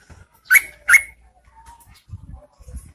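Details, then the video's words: Rainy-season lure recording of a female Yellow-vented Bulbul enticing males to reply: a single loud pair of rich, harsh chirps in quick succession, then near silence with soft low thumps. "PANCINGAN TRUCUKAN GACOR SAAT MUSIM HUJAN"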